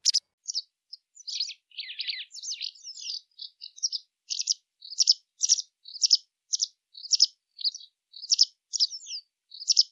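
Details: White wagtail song: a lively run of high, sharp chirps and twitters, some short and buzzy, repeated roughly every half second over ten seconds against a silent background.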